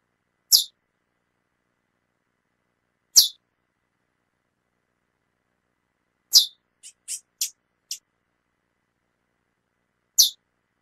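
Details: Calling female chestnut-bellied seed finch: loud high chips about every three seconds, with a brief cluster of four softer, thinner twittering notes between them; otherwise quiet.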